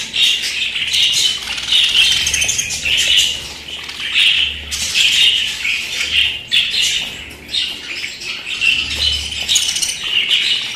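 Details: Pet budgerigars chatter nonstop for about ten seconds: dense, scratchy high twittering with repeated squawky bursts and short chirps, broken by brief quieter dips, over a faint low droning hum.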